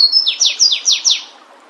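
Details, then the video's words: End of a Flavescent warbler's song, Myiothlypis flaveola, wild bird: five loud, rapid notes, each sweeping steeply downward, delivered about five per second over a clean quiet background. "Canário do Mato cantando bonito na natureza. Aprecie o lindo canto deste canário diferente."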